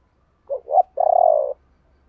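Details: Spotted dove call used to prompt cooing: two short rising hoots followed by one long, slightly wavering coo, over a faint low hum.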